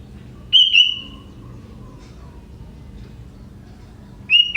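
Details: Wild young sooty-headed bulbul, a clear high whistle dropping into a steady held tone, then a faint lower whistle, and another sharp note near the end, against soft background hum.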